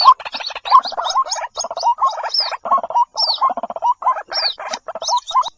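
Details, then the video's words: Harsh, bubbling croaks from a white-breasted waterhen used as a lure, run together in choppy bursts with occasional thin, falling high squeals. "Cara Ampuh Panggil Burung Ruak Ruak"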